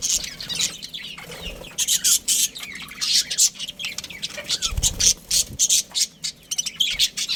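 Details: Colony of budgerigars with a breeding pair, giving harsh squawky chirps and rapid twitters in clustered bursts separated by short pauses, with a low thump partway through.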